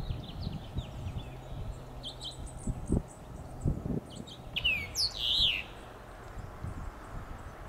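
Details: Male House Finch giving contact calls from a Monterey Pine in Del Monte Forest, California: short, bright chirped notes with a louder burst of rising and falling whistled chirps midway; low rumbling background noise throughout.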